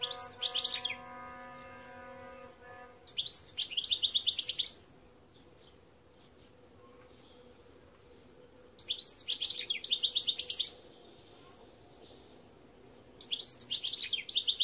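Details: European goldfinch singing in repeated bursts of quick, sparkling twittered phrases separated by pauses, with a steady droning tone heard at the start.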